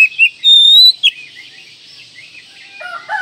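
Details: Kacer, the Oriental magpie-robin, in manjur-style training song: a long sustained high whistle after a short twittered lead-in, then a quick rising note; lower call notes from another bird enter near the end.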